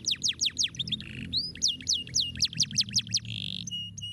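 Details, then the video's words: Canary song meant to get lazy birds singing, made of rapid falling whistled notes in bursts, a short buzzy rattle, and a steady high tone near the end, with a low hum underneath. "goede kanarie! bewezen effectief te zijn bij het overwinnen van het fluiten van luie vogels"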